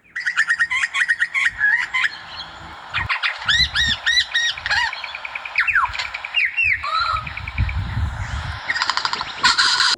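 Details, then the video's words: An Australian lyrebird, a mimic, runs through a fast medley of borrowed sounds: rapid chattering, a run of loud upslurred whistles, sharp sweeping notes and buzzy trills, with a low rumble beneath. "LYREBIRD: The Largest Of All The Songbirds It Uses Its Voice To Imitate Everything"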